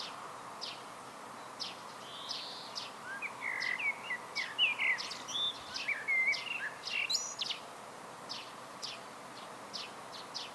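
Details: Solo song of a common blackbird, low mellow whistled phrases with rising and falling notes followed by higher squeaky twitters, scattered over several seconds above constant background hiss.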